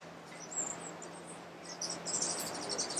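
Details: Rufous-tailed Hummingbird (Amazilia tzacatl jucunda) at Alambi Cloud Forest Reserve, Ecuador, in May 2012, giving thin, very high chips and squeaky twitters in quick irregular bursts, over a steady background hiss and a faint low hum.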